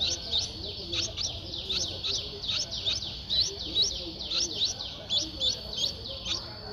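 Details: Eleven-day-old Streak-eared Bulbul nestling in Ubon Ratchathani, Thailand, 13 April 2023, giving a steady run of sharp, very high chirps, each a quick downward slur, in irregular bursts, with a faint constant high whine behind.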